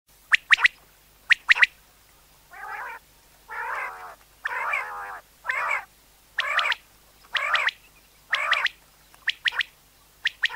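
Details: Common quail calling used for hunting: sharp, clipped notes in quick pairs, alternating with harsher buzzy bursts, roughly once a second.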